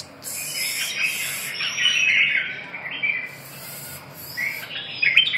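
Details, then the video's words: Red-whiskered bulbul (chào mào) warbling softly in a drawn-out, wavering phrase, interrupted by hissy high bursts of noise. "chim Chào mào"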